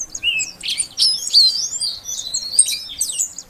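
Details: Female Oriental magpie-robin calling to prompt a silent male into song: quick, high whistled notes and rising, sweeping chirps, some buzzy, in a busy irregular run with short gaps.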